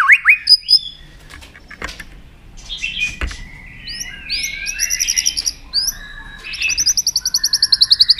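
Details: Kept white-rumped shama stirred to sing: a few loud chips, then quieter clicks and knocks, then high rattling trills and quick repeated notes building toward the end.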